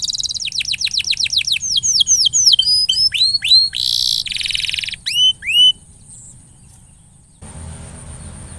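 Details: Coaxing canary song for a canary that has gone quiet: quick falling whistles, upward-hooked bright notes, two buzzy trills between them, then the singing stops, leaving low hiss and faint background noise.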